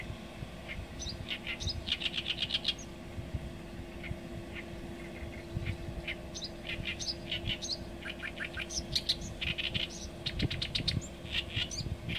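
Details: Oriental reed warbler song, a long rambling sequence of grating, chattering syllables and repeated harsh notes in bursts, pausing briefly mid-phrase before resuming, over steady low-frequency background rumble.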